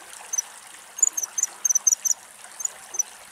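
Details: A female common kingfisher watching the water for fish at Axios Delta National Park, Thessaloniki, Greece, gives very high, thin, piercing notes, some doubled, in a quick burst of about ten, then two more, over a steady water-like hiss.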